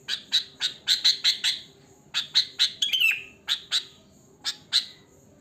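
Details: A sooty-headed bulbul sings its wild song without added mimicry, used as a lure: rapid harsh chirps in clusters, a downslurred whistle midway, then spaced single chirps over a soft low murmur.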